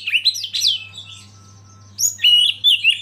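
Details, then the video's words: Brief Oriental magpie-robin master song meant to stir other birds: a quick run of bright swooping whistles, a thin held tone during a pause, then a loud new burst of whistled notes over a low hum. "Masteran KACER Pancing Emosi dan bikin gacor yg lain"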